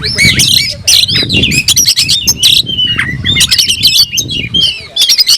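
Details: Oriental magpie-robin kept in a cage, tail spread, singing aggressively to challenge a rival: dense run of shrill whistles, chattering notes and quick slurred phrases almost without pause, over steady low background rumble.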